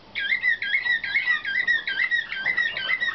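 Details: Young canaries of the nightingale-type (slavujar) song line from 2013, in training after being selected for competition, sing a fast run of whistled rolling phrases repeated roughly twice a second, bright and continuous throughout.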